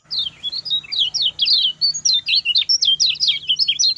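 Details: Fast, short-phrased lemon-bellied white-eye song used as a tutor recording for other birds: a continuous stream of quick, high, twisting chirps and slurred whistles without a break.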